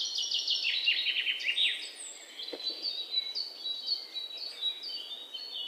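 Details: Three red-whiskered bulbul chicks in a nest at a home, during feeding, give rapid, high, thin chirps in a quick run, then scattered squeaky notes, with faint background hiss.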